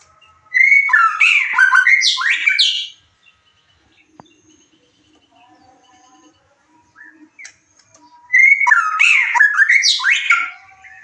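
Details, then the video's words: White-rumped shama song used as a lure to stir emotion and arousal so another bird answers and sings its full repertoire: two loud, rich phrases of slurred whistles and rapid buzzy trills, separated by about five seconds of faint background chirps. "pancingan murai batu penambah EMOSI DAN BIRAHI AGAR ikut nyaut bongkar isian"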